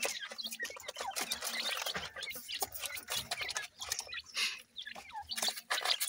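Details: Grey francolin chicks, feeding: dense short high chirps and peeps, some rising, packed closely together, over constant clicking and tapping sounds.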